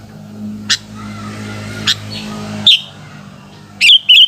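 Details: Afternoon song of a sooty-headed bulbul: sharp clicks and one warbled whistle, then a closing pair of quick bubbly whistled notes, with low engine-like humming in the background.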